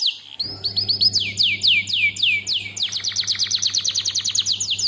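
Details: Canary song used as a lure, delivered as a fast series of high descending whistled sweeps. The sweeps repeat rapidly and quicken into a rolling trill, with a steady low hum underneath.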